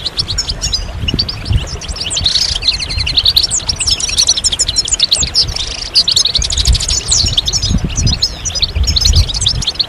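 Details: Several European goldfinches chattering together, a recording of mating and readiness calls meant to stimulate males to sing: dense, overlapping bright twitters and buzzy trills running continuously, with a low rumble underneath.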